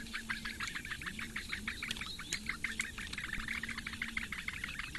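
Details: Eurasian bittern nestlings, four chicks, begging as the female feeds them at a reedbed nest on Lake Engure, Latvia, mid-May morning. Fast, even series of harsh chipping notes, about three per second, over a faint low humming tone.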